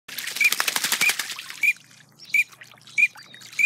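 Green-winged teal drake giving short, clear, high whistles about every two-thirds of a second, over a rough rustling noise at the start.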